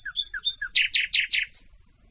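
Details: Nightingale song chosen as a lesson for canaries: a few clear whistled notes leaping between high and mid pitch, then four loud buzzy rasping bursts in steady succession, ending on a thin high whistle.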